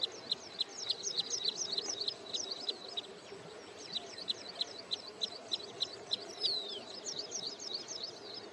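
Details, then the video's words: A wintering wood sandpiper at Hoskote Lake near Bangalore, Karnataka, nearing return migration, gives two fast bursts of high, sharp repeated notes, three to four per second, singing as another bird comes close after long single-note calling; steady low hum. "Wood Sandpiper Calling and Singing"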